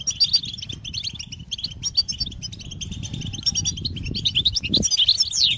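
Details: Goldfinch giving a rapid, jumbled twitter of high chirps, closing with a swooping whistled note, against a low fluttering rumble.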